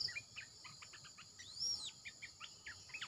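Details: Red-eyed bulbul, caged and calling as a decoy: scattered short liquid notes with brief pauses, one long arching whistle-like sweep mid-clip, over a constant insect hum.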